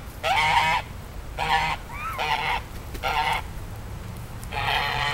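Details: Weird duck or goose with a donkey-like noise: five loud, harsh, nasal honks about a second apart, each half a second long, with a faint thin squeak between and constant low background hum.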